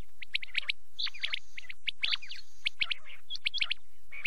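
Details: Night quail calling: quick bright chirps and short whistled notes tumbling together in busy groups, with a thin sustained high tone behind them.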